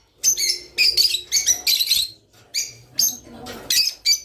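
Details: Java sparrow song, offered to encourage birds to mate: bursts of high, bright chirps and twittering notes in quick clusters with short pauses between them.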